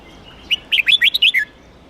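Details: Huế red-whiskered bulbul singing to train for singing contests and rouse young birds: one short whistle, then a quick burst of six or seven lively, warbling up-and-down notes closing on a falling slur.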